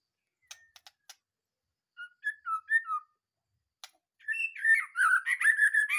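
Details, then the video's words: Caged White-rumped shama fresh from a breeding cage, described as singing energetically: a few dry clicks, then a series of clear descending whistles, followed by a rich, continuous warbling run of varied whistled and chattering phrases. "di cabut dari kandang ternak langsung gacor"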